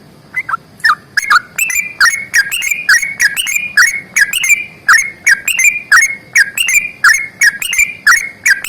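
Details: Sooty-headed bulbul in a long, rapid fighting song. Regular, fast, bubbly whistled notes bounce between higher and lower pitches for nearly nine seconds over faint background hiss.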